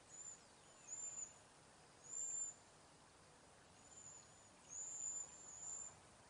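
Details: Cedar waxwings in a backyard flock passing berries and insects give thin, very high whistled notes, about six spaced over several seconds, some short and some longer and faintly wavering, against a soft steady hiss.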